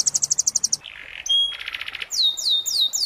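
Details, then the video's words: Young moulting canary singing, recorded as tutor song for training: a fast rattle of high, even notes, then a buzzy mid-pitched phrase, a thin whistle and a dense burst, ending with repeated swooping downslurred whistles. "masteran kenari paud kenari mabung"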